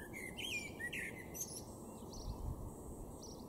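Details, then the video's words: Male common blackbird in a garden in Weener, East Frisia, far north-western Germany, April 2022, gives short, mellow warbled phrases with thin, high twittery notes over a steady low rumble of wind or distant traffic. "blackbird (male)"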